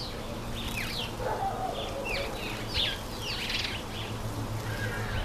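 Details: Karoo thrush (Turdus smithi) taking a bath gives short, thin chirps and quick sliding notes in a loose scatter, over a steady low rumble.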